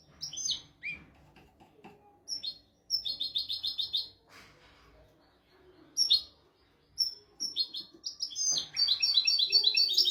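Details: Royal-style song from a European goldfinch, intended to teach goldfinches and canaries: broken bursts of high twittering and rapid trills separated by short pauses, with scattered single chirps.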